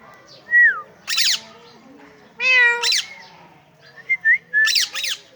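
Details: A pet parrot talking: harsh broadband squawk-like bursts mixed with short whistled notes and harmonic, voice-like syllables, arriving in three clusters about two seconds apart in a quiet room.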